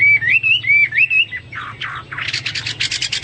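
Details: Hwamei singing, a pet bird giving three looping whistled phrases, a couple of blurred notes, then fast rhythmic harsh chatter.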